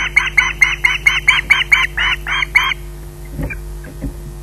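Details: Osprey at RSPB Loch Garten squawking while awaiting food: about eleven regular, rasping squawks over two and a half seconds, then quiet with a few soft knocks.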